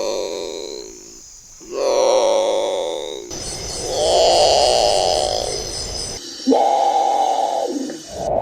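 Great Potoo: harsh, guttural groaning roars, each a second or two long, repeated with short pauses in a deep, growling register.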